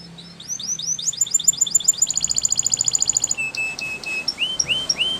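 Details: Training song of a Spanish Timbrado canary: rising whistled slurs speed into a bright pulsed roll, then a lower steady tone broken by quick upward-flicked notes.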